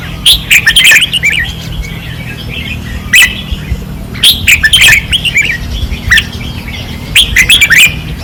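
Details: Red-whiskered bulbuls singing fiercely on a training perch, 2024, Pattani: bursts of short, bright whistled phrases roughly once a second, with several birds overlapping, and a steady low hum beneath.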